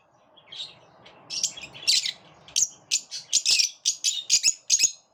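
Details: Lovebirds in a group repelling each other; soft chatter builds into loud, regular shrill chirps, about three per second, piercing and buzzy.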